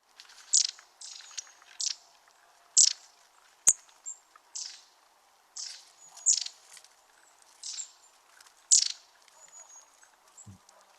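Long-tailed tits in a flock: very high, thin see-see-see notes and short buzzy churrs, scattered every second or so, with a faint sharp click near the start.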